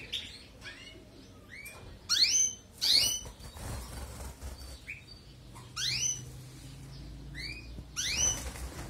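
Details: European goldfinch song for canary training: scattered, fairly soft upslurred whistles mix with a few louder twittering bursts of sharp rising sweeps, over a low background hum.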